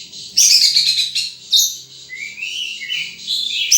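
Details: Rapid run of high chirps from a wild sunbird, then a sharp note and a rising, thin whistled phrase before more chirping.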